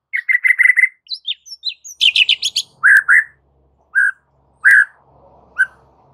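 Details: Aggressive, agitated white-rumped shama song used as a master recording to train birds for fighting: quick repeated whistled notes, scattered high chips, a rapid buzzy trill, then spaced lower slurred whistles with a faint background hum.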